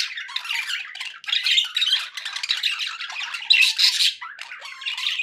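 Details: Continuous scratchy warbling of happy budgies, rapid squeaks and rasping squawks layered together, loud and steady with one brief dip.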